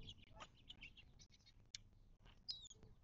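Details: Birds calling at a Mojave Desert watering hole in southern California, near Joshua Tree National Park, 19 March 2024. Scattered sharp chirps, then a clear high descending whistle near the end, above low background rumble.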